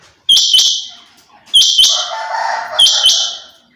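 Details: Female rain quail repeating a loud, rasping, hiss-like double note three times, roughly every 1.25 seconds, with a lower grating sound between the second and third bursts.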